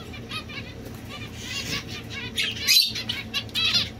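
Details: Society finch (Lonchura striata domestica), the domestic form, giving soft, buzzy, high chattering notes in rapid stacked bursts that grow louder toward the end, with rustling and wing flutters in the background.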